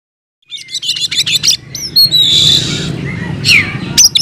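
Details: Oriental magpie-robin (kacer) in energetic fighting song, delivering its mimicked fill-in phrases: a quick run of sharp high chips, then a loud sustained high trill and a downward-sweeping whistle, over a low background hum.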